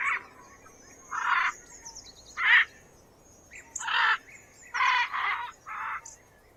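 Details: Rough, grating macaw squawks come in irregular bursts, roughly seven across six seconds, over a steady faint high whistle from other birds.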